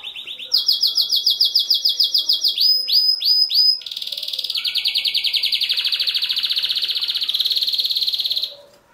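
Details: Canary male singing to excite females for breeding: rapid high rolling trills changing through several tours, some swooping repeated notes, sustained fast rattling phrase near the end.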